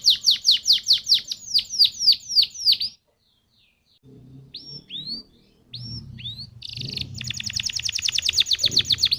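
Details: Canary song for luring other canaries into song: a quick series of sharp falling notes, a silent gap, a few scattered upslurred whistles with low background hum, then a long rapid trill.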